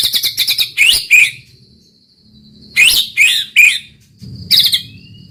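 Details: White-rumped shama (murai batu) giving high, harsh rattling and chattering bursts with a few thin sliding whistles between them, in roll tembak style; a faint low hum lies beneath.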